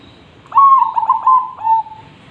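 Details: Zebra dove in strong song, meant for tutoring other birds: one phrase of a rolling trill with several quick pulses, ending in a longer, slightly falling coo.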